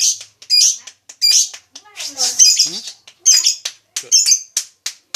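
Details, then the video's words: Lovebird giving bursts of high, harsh chattering notes in uneven clusters, with a few lower voice-like sounds in the middle of the passage. "Suara burung lovebrid"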